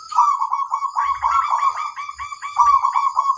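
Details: A local crossbred zebra dove in full song, meant to set other doves responding, pouring out a continuous bubbling, trilling warble of quick notes with a faint high steady hiss behind.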